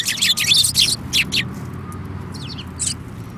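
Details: A group of sparrows recorded on 5 February 2018, one with a yellow beak. Loud rapid chirping comes in quick bursts for the first second and a half, then a few softer, sparser chirps follow over faint low rumble.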